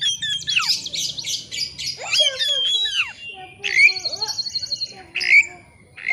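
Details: Oriental magpie-robin in challenging song used as a lure for rival singing: loud varied whistles, sweeping slurred notes and dry rattling trills, with a rising whistle repeated twice later in the passage.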